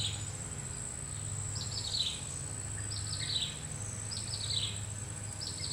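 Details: Common flameback woodpecker foraging for food: short, fast descending trills of sharp notes, repeated about every 1.2 seconds. A steady high insect-like whine and a low hum run throughout.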